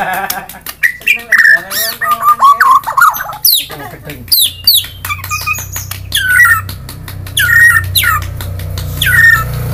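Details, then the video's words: Murai songbird, a kind popular with songbird keepers, singing varied whistled and squawky phrases that rise and fall around mid pitch, with loud sharp notes in the second half and a low background hum. "BURUNG MURAI BERKICAU"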